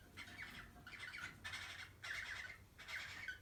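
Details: Cockatiel during mating, giving harsh raspy squawks in five bursts roughly every half second to second, each noisy and broadband with a strong band near the middle of the range; low background hum throughout.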